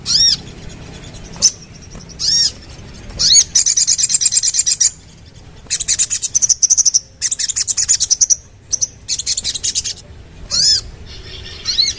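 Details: Sooty-headed bulbul singing a long series of very fast, high, buzzy rattling trills, broken by brief gaps and a few sharp upslurred whistles.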